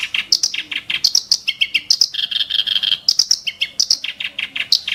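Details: Kerak basi bird with sharp, harsh bursts: rapid high chips repeated about five times a second, with short buzzy trilled phrases between them, continuous and loud.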